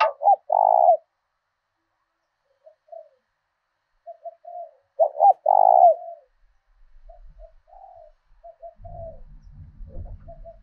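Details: Caged decoy spotted dove in southern Vietnam, calling in the local 'thổ đồng' voice style to provoke rivals and lure wild doves: two loud, mellow, hoarse coo phrases about five seconds apart, soft short notes between, faint low rumbling near the end.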